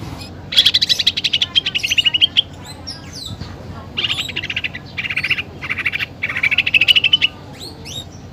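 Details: Cucak ijo (greater green leafbird) in full song, described as filled with rapid 'tembakan' bursts imitating fighting sparrows and the pelatuk bawang woodpecker: buzzy pulsed trills around one to two seconds long, some rising in pitch, separated by short pauses.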